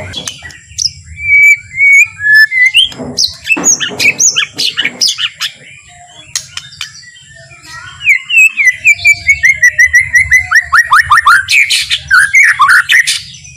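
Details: White-rumped shama singing a slow, gentle song intended to make other shamas sing excitedly; scattered whistles and harsh notes, then a long rapid series of descending chirps repeated several times a second.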